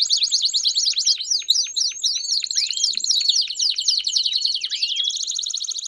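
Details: Canary performing campainha song with piados, used to train young canaries: rapid crisscrossing high sweeps giving way to a steady, fast shimmering trill at the end.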